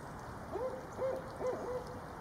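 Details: Female Barred Owl calling during a visit from her mate, loud calling: four short arched hoots in sequence, each rising and falling, spaced roughly half a second apart over a quiet background.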